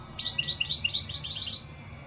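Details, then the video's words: A single rapid twittering phrase from a European goldfinch, a quick string of high, sparkling chirps and liquid notes lasting about one and a half seconds. "اقوا واجمل تغريد حسون"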